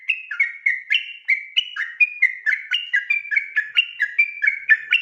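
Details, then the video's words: At night, a sooty-headed bulbul pours out rapid ropel song meant for tutoring birds: nonstop chains of short whistled notes stepping up and down, roughly four a second, each with a sharp onset. "burung trucukan ropel ngotot dimalam hari"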